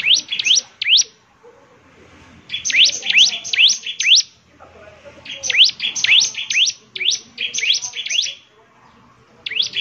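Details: Lively gacor song of the bar-winged prinia, locally ciblek semi, played to make other prinias sing back: repeated clusters of high, quickly rising whistled sweeps, four to six per cluster, separated by brief pauses.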